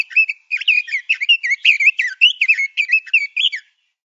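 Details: Male Oriental magpie-robin song used to train songbirds: about twelve quick whistled phrases of slurred, warbling notes, roughly two per second, ending in silence.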